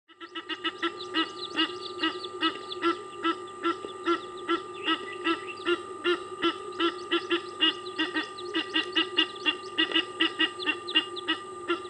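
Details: Egyptian geese in a dominance battle over territory at Kwa Maritane, honking in rapid, harsh bursts repeated more than twice a second across the whole stretch, with a steady electrical hum underneath.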